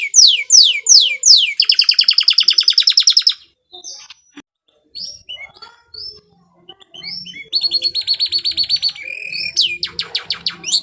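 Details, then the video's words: Canary singing energetically in the ornate 'cengkok mewah' style, used as a master song for training other birds: rapid downward-sweeping whistles, then a fast buzzy trill repeated about twice per second, a pause with scattered chirps, and another long trill. "Suara burung kenari GACOR Cengkok Mewah durasi panjang ‼️ cocok untuk masteran"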